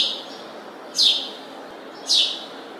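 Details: House sparrow giving two loud, slightly downslurred chirps about a second apart over a steady low background hiss.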